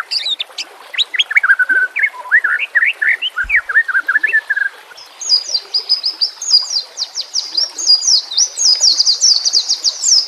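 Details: White-rumped shama, used as training song for caged birds, pours out a fast varied song of sharp whistles and chips, first mid-pitched then shifting to rapid high twittering notes, with little background.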